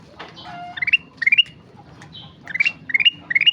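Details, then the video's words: Sooty-headed bulbul singing actively: short bright phrases of four quick notes stepping upward, repeated several times, with faint higher descending whistles and soft low background noise between phrases. "Burung kutilang emas gacor"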